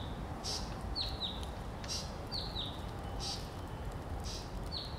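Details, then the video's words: Blue-capped rock thrush singing: clear high whistled notes that slide downward, mostly in pairs, repeated about every second. Short hissing bursts fall between the phrases over a low rumbling background. "Blue-capped Rock-Thrush"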